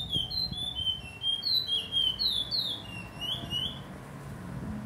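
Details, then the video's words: Late-afternoon song of a chestnut-bellied seed finch (curió) on 8 September 2022, given slowly: a string of pure whistled notes, gliding up and down, repeated at a steady quick pace over a quiet background hum. "CURIÓ E SUA BELÍSSIMAS NOTAS!"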